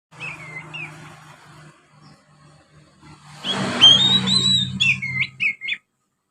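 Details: Young Oriental magpie-robin in quiet practice song (ngriwik) with sparrow imitation filler: after a few seconds of low humming, a burst of thin high whistles and short slurred notes over rustling noise, ending abruptly.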